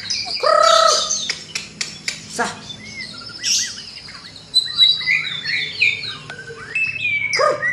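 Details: White-rumped shama (murai batu, described as a Medan bird) singing vigorously with full fill-in phrases, used in the morning to train other birds: loud, varied song mixing rich whistles, sharp chirps, slurred rising notes and quick trills, with steady low hum behind.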